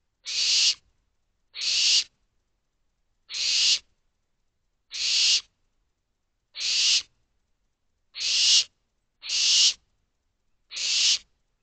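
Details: At 12:40 am on 25 May 2023, barn owl owlets in an owl box demand more food with eight loud, noisy, hissing screeches in under twelve seconds, mostly evenly spaced with one closer pair near the end.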